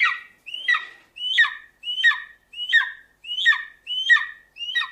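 An eagle gives seven sharp, screechy calls in steady series, each whistled upward then dropping harshly, about one every 0.7 seconds, with no other sounds.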